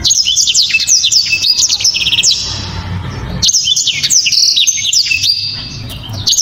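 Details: Loud, sharp, clear blackthroat song delivered in dense, fast bursts of high chirps and trills, with two long runs broken by a brief lull and a steady low rumble beneath.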